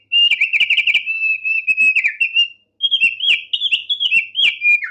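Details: Tame Thick-billed heleia singing actively: a dense run of rapid, trilled whistles, then a second phrase of warbled notes that rise and fall and end on a lower downslurred note. Short gap between phrases.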